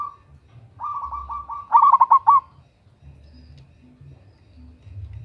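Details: Female local zebra dove calling to a male, a loud and vigorous lure call: soft rolling lead notes swell into a louder burst of about five rapid, stuttering coos, then fade to a low background hum with faint distant tones.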